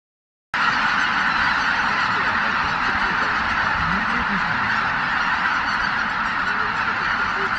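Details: Greater white-fronted geese, over 83,000 birds, leaving their roost at dawn at Miyajimanuma marsh on 23 April 2017 under poor weather; a dense, unbroken wall of overlapping honking calls starts after a brief silence, recorded on a Canon PowerShot SX710HS.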